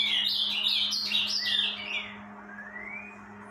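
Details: Rufous-collared sparrow singing hard during the breeding season: a run of high, slurred, falling whistles ending in one long, softer, rising whistle, over a steady low electrical hum.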